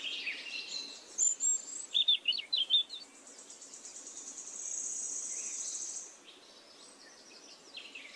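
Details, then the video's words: A common nightingale sings in a forest: varied phrases of sweet whistles, a burst of loud clicking notes, then a long buzzing trill, with other birds chirping faintly behind. "Magic singing of a nightingale"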